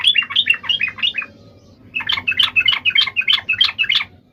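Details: Yellow-vented bulbul fighting song meant to draw answers from other bulbuls: a burst of rapid warbled chirps, a short gap, then a second brighter stuttering run of repeated notes.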